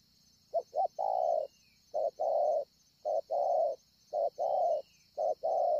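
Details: Spotted dove recorded at Ngọc Hồi on 25 March 2020, a wild-caught scar-chested bird. It delivers five rhythmic coo pairs, the first opening with a double short note, each ending in a longer mellow tone. There is a faint high chirp and a constant shrill background hiss.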